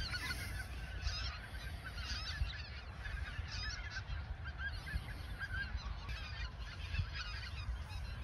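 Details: Geese at the Ochsenmoor nature reserve in autumn 2022, a few days before heading south, keep up a continuous babble of overlapping honks in bursts, over a low rumbling background.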